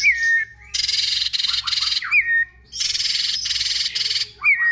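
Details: White-rumped shama in multi-voiced song meant to excite other shamas: long harsh buzzy bursts broken by short falling whistles, the loud rasping stretches repeating twice over a faint low hum.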